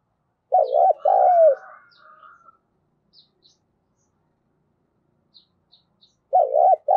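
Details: Lure spotted dove singing to provoke calling: a low two-part coo, a quivering hoot then a falling drawn note, followed by a faint humming tone. Later come a few tiny high clicks and the start of another phrase.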